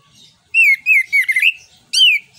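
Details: Orange-headed thrush, also called anis kembang or punglor kembang, singing loudly as a lure to stimulate other birds: clear whistled phrases sliding down and wavering, with a short pause, then a final bright descending whistle.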